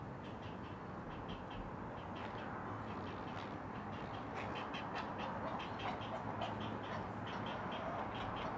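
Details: Nest-cam sound from a great blue heron colony high in loblolly pines, Chesapeake Bay, Maryland, 20 June 2018 around dawn: fast, uneven series of sharp clacking pulses, several per second, with constant rumbling background noise.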